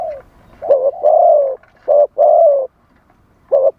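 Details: Spotted dove decoy calling wild doves with wild-style song. The low coos rise in a short note into a longer, slightly falling one, then repeat as a second pair and a final short coo.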